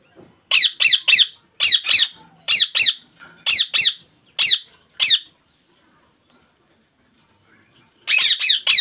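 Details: Rose-ringed parakeet, a pet ringneck in Bangladesh, screeching in rapid pairs for about five seconds, falling silent, then bursting into a quick series of shrill squawks.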